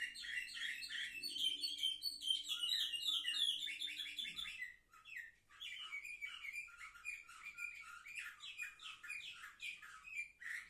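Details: Young canaries, seven months old, recorded 10 November 2023, singing fast rapid-fire trills and chattering notes, with a brief pause midway before the quick repeated trilling resumes.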